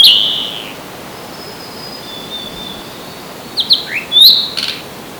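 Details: Blue-and-white flycatcher, one of two rivals in a territorial dispute, 25 April 2026, ECM-M1 microphone: an opening high whistle, a long quiet spell, then a quick cluster of sharp high notes near the end.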